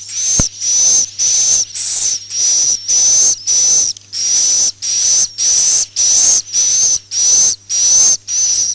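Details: Roosting call of swiftlets, played to draw the birds into nest houses in Malaysia and Indonesia: loud, hissing, buzzy chirps with a faint whistle, evenly repeated almost twice a second, with a constant low hum beneath.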